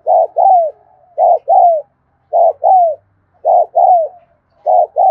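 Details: Spotted dove cooing continuously in the afternoon: steady paired coos, a brief clipped note then a longer descending one, repeated about every 1.2 seconds with even rhythm, the recording otherwise quiet.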